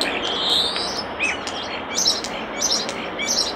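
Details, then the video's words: Common starling song beside a nest box: high busy chatter of squeaks, clicks and brief whistles running together without pause. "Common Starling Bird Song and Call By Nest Box"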